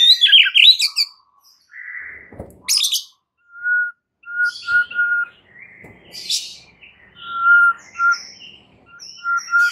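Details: White-rumped shama song played as a lure to get stressed shamas singing hard: a harsh opening burst, then clear short whistled notes repeated at a steady pitch with scattered chirps between.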